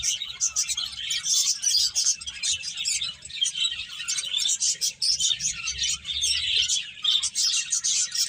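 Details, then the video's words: Finches eating and playing give dense, overlapping high chirps and tweets in a steady chatter, with brief dips in loudness, over a faint low hum. "Cute Birds Chirping Sounds | Beautiful Finches Eating and Playing"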